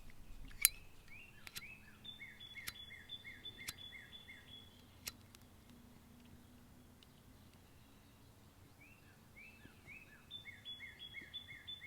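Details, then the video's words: A Northern Cardinal singing in the background gives faint runs of clear, down-slurred whistles, about two per second, in two bursts, over a low hum and a few sharp clicks. "The singing bird in the background is a northern cardinal"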